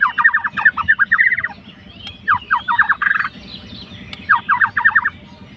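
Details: White-rumped shama fighter provoking a rival, producing three bursts of rapid chattering whistled notes with short gaps and a faint sliding whistle in between, over steady low background hum.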